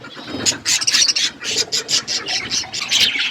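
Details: Budgerigar parakeets at their food, with a steady rush of high chirps and harsh chatter broken by bursts of crackling noise roughly every quarter second.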